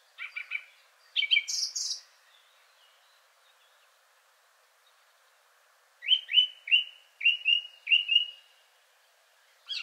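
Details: Male song thrush singing clear, varied phrases, repeating short phrases in the way typical of the species: a quick stuttered opening and high squeaky notes, then one short whistled phrase repeated five times in a row.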